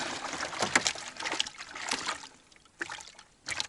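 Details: Splashing and trickling water with paddle-like sloshes and dribbles, no animal voice present.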